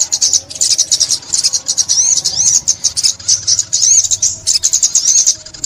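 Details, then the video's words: Bright, very high sunbird song from a 2021 trapping recording: fast chirps mixed with arching whistled phrases, repeated in uneven bursts. "Tiếng Chim Ốc Mít"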